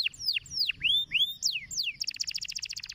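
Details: Stimulating canary song: several slow, loud, descending whistled slurs, then an abrupt switch to a fast, buzzy, high rattle-like trill over a faint low rumble.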